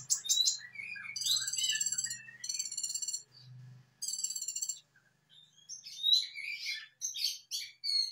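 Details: Brown-throated sunbird (konin) song played as a lure to get other sunbirds singing quickly: high, bright warbled phrases with buzzy harmonic notes and short slurred whistles, broken by brief pauses, with a low hum beneath.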